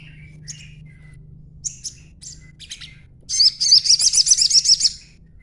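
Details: Crimson sunbird youngster in green juvenile dress, used as a calling lure: scattered thin chips and short squeaks at first, then a rapid run of very high, evenly repeated notes for about a second and a half.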